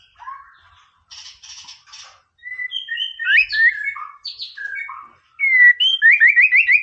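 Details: White-rumped shama, 'Boomerang' tutor song for raising a rival's aggression: soft buzzy notes, clear whistled phrases at varied pitches, ending with a loud fast series of rising trilled notes.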